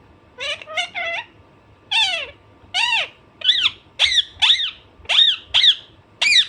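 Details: Naughty Alexandrine parrot letting out a rapid run of about ten harsh rising-and-falling squawks, spacing tightening toward the end, over a faint indoor hum.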